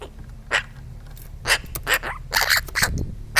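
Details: Eurasian magpie objecting to a camera placed near its food, yapping in short harsh dog-like barks, about eight bursts in quick uneven succession over a low background rumble.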